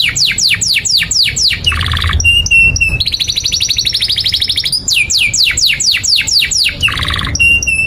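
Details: Long-singing canary, a tutor recording for young canaries learning to sing: repeated steep falling whistles, short buzzy bursts, a rolling high trill, then more falling whistles. A faint low hum sits underneath.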